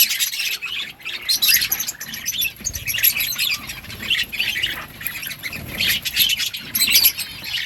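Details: Budgerigar chatter of sharp, high squawky chirps and warbled notes in continuous overlapping bursts from several birds.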